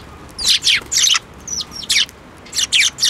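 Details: Sparrows flying onto a person's hand for food at a Tenmangu shrine in Japan, 7 May 2024; loud, high, rough chirps in quick bursts, about eight calls over three seconds.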